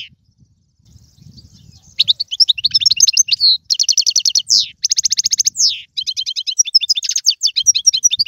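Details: European goldfinch, an Algerian singer, performing song in the tiwawati, galoubi and serfati styles: after a near-silent opening, rapid twittering bursts start at two seconds with buzzy trills and dense rattling runs, with faint low rumble early on.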